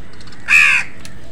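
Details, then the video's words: A single rough, grating caw from a crow squabbling with other birds over food, short and abrupt, with quiet background noise before and after. "কাকের ডাকCrow Sound.Crows fight with other birds for food.Crow bird crowing sound"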